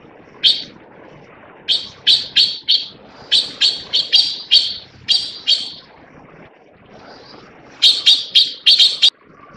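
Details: Taiwan blue magpie in Taiwan calling with a long series of loud, grating notes in uneven groups, about fifteen in all, a brief lull, then a fast burst of five sharp rasps near the end.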